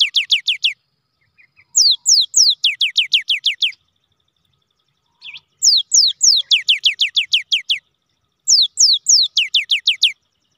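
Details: Cinereous tit (gelatik batu) in full rolling song, used as a lure to prompt lazy tits to sing: fast bursts of about eight bright rising whistled notes, each burst about two seconds, separated by short silences.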